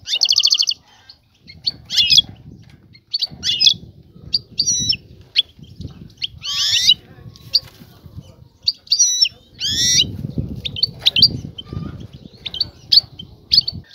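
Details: Seeking a male for mating, a female European goldfinch calls to attract and stimulate him toward pairing and nesting; scattered tinkling chirps and several loud, buzzy, harmonic twitters over intermittent low rumble.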